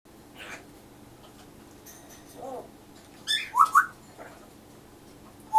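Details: A pet grey parrot speaking in the morning: it says "Mother and..." in Japanese and waits for the reply "...and...". Quiet room, then a few soft mutters followed by a brief, loud burst of squeaky, speech-like syllables and a final sharp note.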